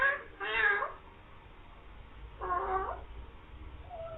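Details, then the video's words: Talking green parrot says "mian mithu" and "meow": two loud, wavering meow-like calls near the start and middle, then a softer brief note at the end, over low room hum. "beautiful green parrot talking saying mian mithu meow"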